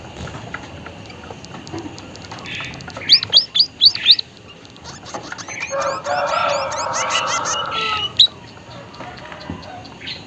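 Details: White-headed munia from Indonesia in full song: five high, sharply rising whistled notes in quick succession, a pause, then a long buzzy, rasping passage with thin high notes over it and a final sharp chirp.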